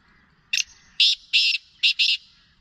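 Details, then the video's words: Loud grating call of a Black francolin: one phrase of five harsh, buzzy notes, a short opening note followed by longer rasping bursts, with little background sound. "Black partridge Ghangas Of the voice/Kala Teetar Ghangas ki awaaz /Kala Teetar ki voice"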